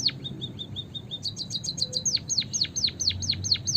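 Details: Emperit kaji (white-headed munia) calling busily in a lure recording used for bird trapping: thin level whistles repeated, then high double notes, then a run of sharp down-slurred whistles about twice a second over low background hum.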